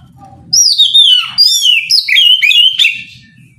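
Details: Morning song of an Oriental magpie-robin in ngeplong style, sung to provoke rivals; after a quiet half second, loud sweeping whistles slide down and up in quick varied notes, with a faint low hum beneath.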